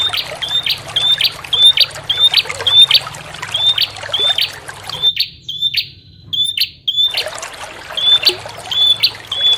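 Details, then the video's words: Bar-winged prinia lure call mixed with trickling water, a rapid string of short, sharp whistled notes repeated about twice a second, pausing briefly midway before resuming, water burbling throughout. "Suara pancingan ampuh untuk burung prenjak disertai suara terapi gemercik air"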